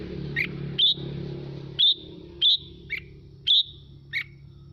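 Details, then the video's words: Red-whiskered bulbul, 'mộc' style, played to excite other birds into song. Separate clear whistled notes, some with a slight slur, sound about every half second to second over a steady low hum. "Mào Mộc Hót Hay Kích Chim Hót Theo Để Lên Lửa"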